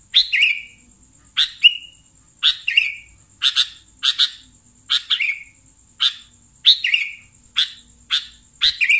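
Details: Sooty-headed bulbul calls played to lure and catch bulbuls: a single sharp chirp dropping into a short slurred note, repeated steadily roughly once per second over a quiet background with a faint thin high hum.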